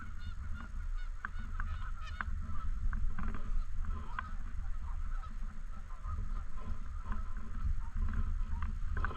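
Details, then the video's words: Around a park lake, Canada geese keep up a chorus of overlapping honks, with clusters of sharper calls in the first few seconds and continuous low wind or handling rumble. "Canadian Geese Honking In And Around The Lake"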